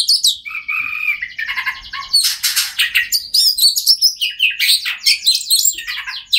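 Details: Song of an Oriental magpie-robin meant to trigger silent birds into song: a steady whistled note, then dense, fast, varied chips, slurs and squeaky phrases pouring out without a break.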